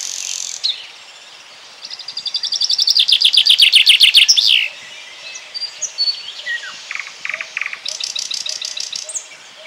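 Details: Common chaffinch singing in Bryansk: a bright, quick descending run of repeated notes that speeds up and ends in a flourish, followed by other high chirps and trills.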